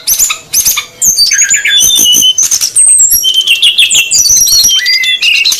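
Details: Female and male brown-chested jungle flycatchers calling noisily, played as a lure for wild birds: two short harsh bursts, then a busy tangle of high whistled slurs, trills and chattering notes, with a falling whistle near the end.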